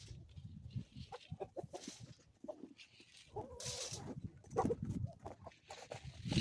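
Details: Chickens on a homestead in the Ozarks call in the morning: short clucks and a brief wavering call in the middle. Repeated hissy bursts and low thumping run underneath.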